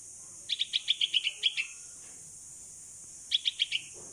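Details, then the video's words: Young bulbul, locally Pulangga, 16 days old and kept until able to fly, calls for its mother in the open during flying practice; quick strings of bright, clipped chirps, about eight then four, against a constant thin high hiss. "Baby Bulbul Bird (Pulangga) Calling Mom While Practicing To Fly in the Open"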